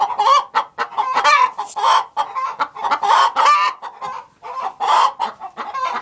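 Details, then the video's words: Chickens fill a productive hen house with dense clucking: quick, short notes mixed with rough, buzzy squawks from several hens overlapping, then a short lull before the chatter returns. "Sounds of a productive hen house"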